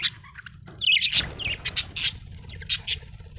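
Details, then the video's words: Budgie chatter: scratchy squawks and short harsh notes, a loud burst after a brief quiet start, then scattered sharp chirps, with a low background hum throughout. "Australian beautiful birds sound 😍 budgie chirping sound 🥰"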